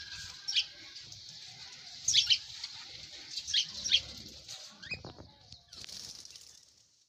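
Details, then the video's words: Birds chirping: a few brief, sharp, high chirps in short clusters, some paired and sweeping downward, spaced irregularly over several seconds above a soft hiss, with low rumbling and a few faint knocks. "birds soothing birds chirps sound amaizing"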